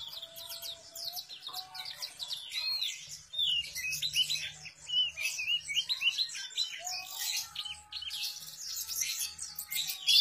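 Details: Enggano white-eye singing vigorously (gacor): a rapid, continuous stream of high, sharp chirps and twittering notes with quick up-and-down slurs, loudest from about four seconds onward. A steady low hum runs underneath.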